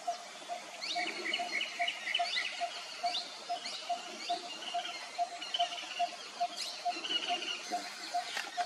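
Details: Malabar barbet, native to the Western Ghats of India: a steady series of low, hollow notes repeated rapidly and evenly throughout, with brief high chirps and twitters from other birds scattered over it.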